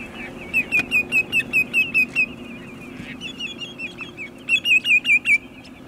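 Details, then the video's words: Sandpipers singing at sunset at Montezuma, New York, on 6 May 2019, with waterfowl present: a fast run of about ten sharp whistled notes, a softer series, then another loud burst of repeated notes over a low steady hum. "Sandpipers Serenade the Sunset"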